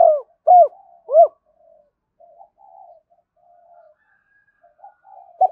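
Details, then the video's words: Decoy spotted dove calling to draw wild doves in, three short low hooked coos in quick succession, then soft murmuring purrs trailing off and one more coo at the end. "tiếng cu gáy mồi gáy gọi và thúc bổi nhanh về cội hiệu quả"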